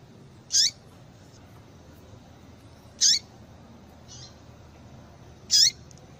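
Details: Female calling to excite male rusty-collared seedeaters: three loud, thin, high descending squeaks about two and a half seconds apart, a softer note between, over faint background hiss.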